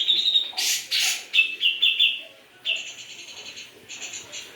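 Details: Grey-cheeked bulbul singing hard in gacor style: a short high trill, two harsh rasping bursts, a flurry of sharp whistled notes, then quieter buzzy trills.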